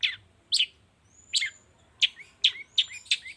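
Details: Morning lure recording for long-tailed shrikes: sharp chirps that fall in pitch, coming closer together toward the end, with a thin whistle drawn out between them.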